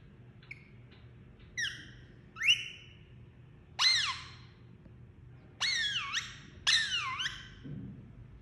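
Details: Pet Indian ringneck parakeet, described as a talking parrot: about six bursts of rich, harmonic whistled notes over eight seconds, some rising sharply, others sweeping down then up, with a low steady indoor hum beneath.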